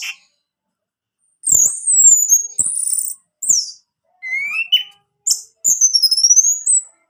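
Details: Orange-headed thrush singing, played to stir a silent kept male into song: thin, very high whistled slurs and swooping notes in short bursts separated by brief silences, with a lower rising whistle midway.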